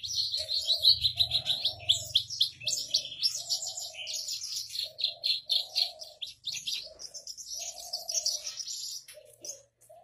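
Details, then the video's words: Captive Javan bush lark on a stone, delivering a continuous rolling song of fast, jumbled, high chirps and trills. A lower, muffled coo sounds repeatedly underneath, with a faint hum early on. "Branjangan Javanica Gacor Istimewa - Ngerol Anteng"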